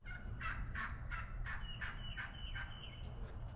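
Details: Wild hen turkey calling at dawn on a cold morning at a fish camp on the St Johns River, Florida: a run of about nine raspy, slightly falling yelps, roughly three per second, over a steady low rumble.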